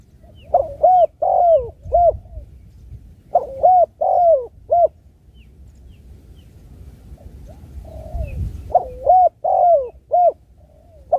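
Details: Spotted dove giving soft, low cooing phrases of several hooting notes, each phrase slightly rising and falling, three bursts separated by pauses of a few seconds; faint low background rumble.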